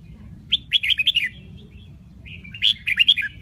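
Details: Vietnamese Bình Định red-whiskered bulbul, a singer said to vary its voice across eight or nine notes, giving two rich, rapid warbled phrases of bright tumbling notes separated by about a second of near-silence.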